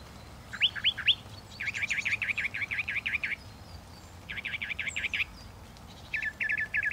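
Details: Northern mockingbird song built from runs of repeated notes: a few upswept whistles, then a long rapid chattering series, another fast burst, and finally a quick stuttering trill, each phrase type changing abruptly.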